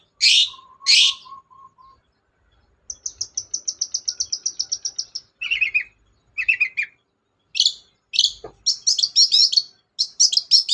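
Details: Varied long-tailed shrike song used to coax a quiet bird: two harsh bursts, a soft row of low piping notes, then a fast trill of even high notes, scratchy lower phrases and a final run of busy high chatter.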